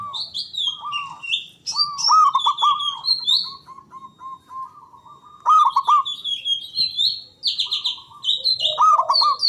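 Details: Zebra dove from Java, loud-voiced, used to prompt silent doves and calm stressed ones. Rapid, ringing staccato coo phrases alternate with prominent high, buzzy chirps from other small birds, and a gap of quieter cooing midway.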